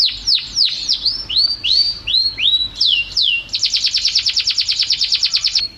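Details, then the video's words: Canary singing a master-song recording: a run of high, downslurred whistled notes, some swooping upward, about three per second. It then breaks into a fast, even, rattling trill of bright notes that ends in a short held whistle. "Masteran Suara Kenari"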